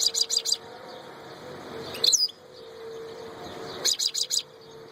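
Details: European goldfinch, called royal goldfinch, singing short bursts of high, bright tinkling chirps in three quick clusters separated by pauses, over a steady low hum of background noise.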